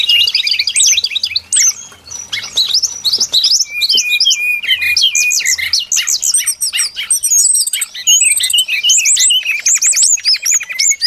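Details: Brown-chested jungle flycatcher singing as a trapping lure: a long, dense, rapid medley of high warbled, upward-sweeping and downward-slurred notes with almost no pauses, very loud and varied throughout.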